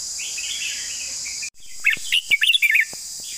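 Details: Red-whiskered bulbul long song. A brief break in the sound is followed by a lively burst of bright, slurred whistles, with quick rising and falling notes crowded into about one second. A shrill insect hum sits behind it.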